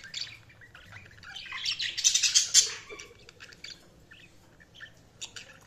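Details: Budgies twitter with fast, uneven chirps that build to a dense, loud cluster of sharp notes around two seconds, then thin out to scattered calls.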